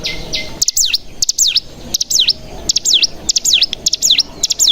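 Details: Mountain tailorbird (cigun) lure calling: a short flat whistle, then pairs of sharp clicks, each pair followed by a high swooping V-shaped note, about twice a second.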